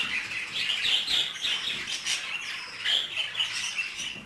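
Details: Budgerigars mating inside a cage: sweet, whistled chirps and scratchy warbling notes in quick, rising and falling phrases, keeping up a lively chatter.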